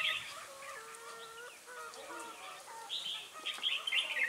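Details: Red-whiskered bulbul at Ba Thá, recorded during bird trapping on 18 December 2016. Steady, level whistled tones open the clip, followed by bursts of rapid, high, twittering chatter.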